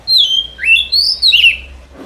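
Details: Lure song of a white-rumped shama for forest trapping, a long sweeping whistled phrase that drops, then climbs and arches before sliding down, rich and fluid over a quiet background.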